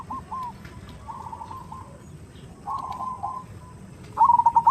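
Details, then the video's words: Zebra dove (perkutut) lure sound, said to be a female calling a male, in the big 'khung' style: soft bubbling bursts of notes at first under a steady background hiss, ending in a louder rolling stuttered phrase. "Suara Khas Pancingan Suara Khung Suara Besar"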